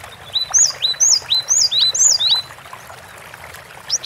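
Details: Gacor song of a cinereous tit, known locally as gelatik batu: a single run of bright, high paired whistles, each phrase dipping then rising, repeated about twice a second before falling quiet.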